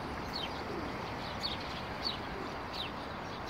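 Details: Sparrows in roadside bushes on Akademika Zelinskogo Street near Vavilova Street, recorded 12 April 2019; a few short, sharp, descending chirps spaced roughly half a second apart against a constant low background hum.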